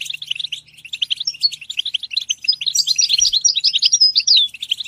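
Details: European goldfinch song: a quick, liquid twitter of short chirps and thin whistled slides, about three notes a second, growing busier and brighter in the second half, with a faint low hum behind.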